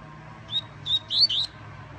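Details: A yellow-bellied seedeater coming out of moult gives a brief burst of high, sweet chirps, four quick notes rising into a slurred twitter, over a faint low hum.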